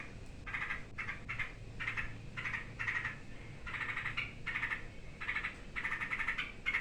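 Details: Frightened yellow-vented bulbul giving harsh alarm calls that stir other birds into noise: repeated raspy chattering bursts, each under half a second, over a steady low background hum.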